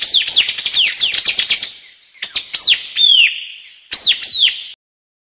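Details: A White-capped tanager gives a quick string of sharp, downward-slurred whistles, then spaced single notes, each shrill and falling in pitch, with no other sounds.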